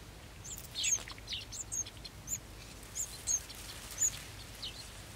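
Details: Golden sparrow nestlings awaiting food call with clipped, high-pitched tweets at irregular intervals, some doubled, over faint steady background noise.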